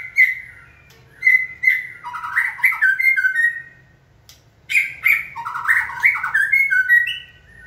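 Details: White-rumped shama singing after training stimulation: two loud phrases, each opening with sharp whistled notes and flowing into rapid, varied warbles that step downward, separated by a short pause.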